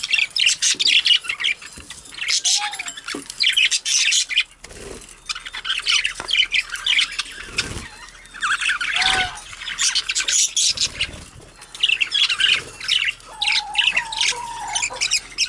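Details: Budgerigars bathing in grass chatter with busy, scratchy warbling and sharp chirps, broken by a few short whistled notes.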